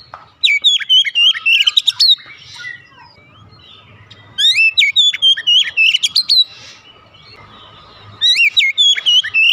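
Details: Oriental magpie-robin (kacer) singing fast and loud, three energetic bursts of rapid whistles, trills and steep rising notes, each lasting about two seconds, with faint background hum between.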